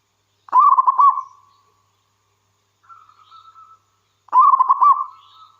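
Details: Local wild zebra dove in steady song, played to draw other zebra doves into calling. A rapid, throbbing cooing burst, a quiet sustained coo, then another strong bubbling burst.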